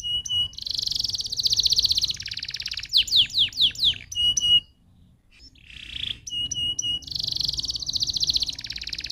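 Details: Canary singing to stimulate other canaries: quick whistles, a long rolling trill and a run of sharp downward-sweeping notes, a brief pause, then the whistles and rolling trill return.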